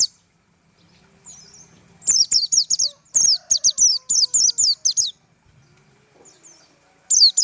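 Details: White-eye (pleci) singing in the tembakan style: bursts of rapid, high, sharply descending whistled notes, roughly four per second, separated by short silent pauses, with faint low background hum.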